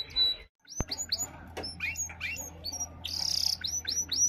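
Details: Caged cross-colour white and black canary singing powerfully toward an open white canary: quick rising whistled notes and sweeping slurs, a dense buzzy trill midway, then a run of repeated rising chirps, with a faint low hum beneath.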